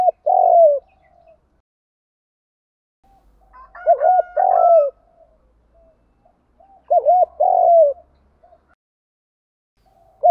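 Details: Spotted dove cooing, male and female birds used to stimulate training doves to coo: three rolling, hollow coo phrases, each a quick double note then a longer drawn coo, repeated about every three and a half seconds in quiet surroundings.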